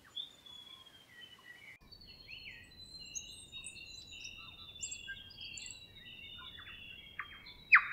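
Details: A grey warbler (riroriro), New Zealand endemic, at Kapiti, New Zealand, sings a long, thin, high-pitched warble of wavering, slightly descending trilled notes running on without pause over a faint low background hum.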